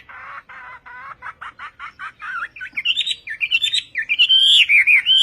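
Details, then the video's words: Chinese hwamei (họa mi tây), Vietnamese style: a rapid series of buzzy pulsed notes accelerates into loud, fluid whistled phrases that climb and loop. "HỌA MI TÂY - TIẾNG HÓT VIỆT"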